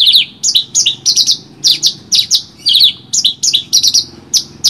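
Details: Branjangan, Horsfield's bush lark, in rich song suited for training other birds: grouped bright chirps in twos and threes, each group ending in a falling note, in a lively, uneven rhythm.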